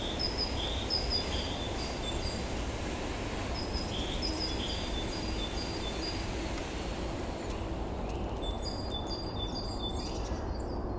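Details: Eurasian nuthatch at a bird feeder visited also by great, blue, willow and coal tits gives short, high, clipped whistled notes in scattered runs, with a few other thin chirps near the end over a steady low rumble.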